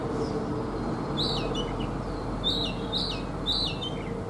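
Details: Wild-caught adult Oriental magpie-robin, kept caged for three seasons, singing in the morning: short whistled phrases with slurred upward and downward notes, repeated about once a second, over steady low rumbling background noise.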